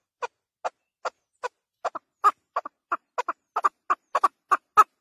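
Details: Chukar partridge chuckling: single clucks at first, slowly spaced, then speeding up into paired notes that grow louder toward the end.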